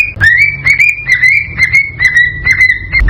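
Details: Cockatiel whistling to prompt mating, a near-continuous chain of clear notes that slowly fall in pitch, broken by short clicks roughly every half second, with a low background hum.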